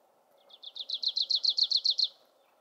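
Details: Grace's warbler singing on 28 May 2019 in mature pinyon-juniper forest, Pinenut Mountains, Nevada, far north of its usual breeding range: a quick, even trill of about a dozen high chipped notes, accelerating slightly and louder, over faint hum.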